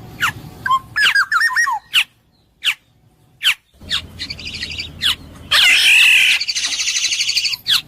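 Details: Black-naped oriole with fluid, looping whistled phrases at first. Sharp downward chips follow, then buzzy rattling notes and a long harsh nasal squawk.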